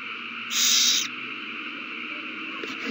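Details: After a mouse is found and passed between owls at the nest, the frenzy starts again, March 21, 2020. A single half-second harsh screech, then only a steady low hum.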